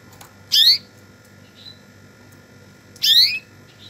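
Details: Canary calling twice with bright upward-sweeping chirps two and a half seconds apart, a soft short whistle between them, steady faint hum in the background.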